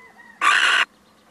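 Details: A visiting male little owl lets out one broad, hoarse screech of roughly half a second after a faint thin tone, in otherwise calm surroundings.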